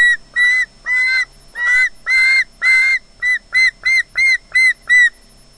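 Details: Osprey at Loch Garten, Scotland, on a wildlife nest camera, squealing as if anticipating fish: a run of loud, piercing squeals, the first ones drawn out, then shorter and quicker, about eleven in all before falling quiet.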